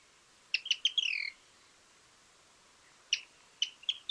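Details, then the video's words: Pearly-vented Tody-Tyrant from Argentina giving a short burst of sharp clicking notes ending in a brief buzzy trill, then after a pause another run of four snappy clicks. "Mosqueta ojo dorado"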